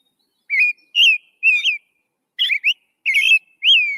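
American Robin singing short, clear whistled phrases that rise and fall, about seven in four seconds with brief pauses between groups; no other sounds.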